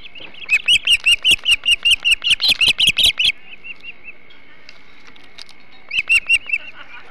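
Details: On the Hog Island osprey nest, 21 July 2016 at 08.05, during a large flounder feast: an evenly spaced series of loud, piercing chirps for about three seconds, a few soft notes, then a short renewed burst.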